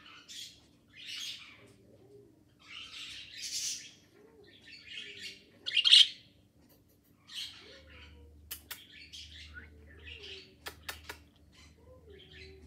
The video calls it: Green parakeet